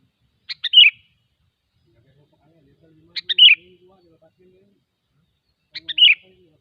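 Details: Wild sooty-headed bulbul repeats the same brief phrase three times, about every two and a half seconds: two quick sharp notes then a bubbling slurred whistle, in otherwise quiet surroundings with faint low sounds between phrases.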